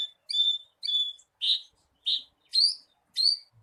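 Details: A bushlark's song for stimulating a captive bird: slower, spaced notes, first thin whistled tones, then fuller rounded chirps and rising sharp notes, roughly one per half second, nothing else audible.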